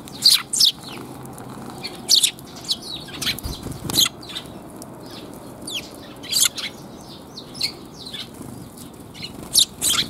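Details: Sparrows in a back alley on the way out, 28 January 2022: short sharp chirps in scattered bursts, several birds calling over one another, with a steady low hum of urban background noise.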